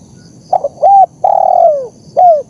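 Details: Spotted dove master call for training and luring: soft stuttered notes lead into a level coo, then a long drawn coo sagging downward, closed by a brief falling coo.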